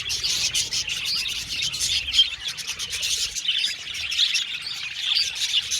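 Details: Flock of budgerigars in an aviary, continuous high-pitched twittering and warbling chirps overlapping densely, a few crisp whistles standing out from the steady murmur of chatter.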